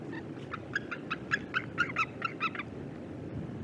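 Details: Eagles gathered at a single bait on the Mississippi River Flyway, many competing over it; a quick chattering series of about ten sharp, piping notes runs for two seconds, then fades into steady outdoor background hiss.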